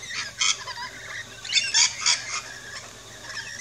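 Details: Australian backyard feeder with rainbow lorikeets giving rapid, uneven harsh squawks and short screeches, several bursts close together then quieter chatter.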